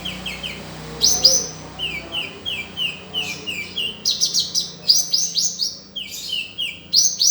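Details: Konin dacok sunbird song for tutoring caged songbirds: rows of quick, sweet downslurred chirps, a high squeaky burst, then rapid ringing notes repeated in lively runs, with low background hum early on.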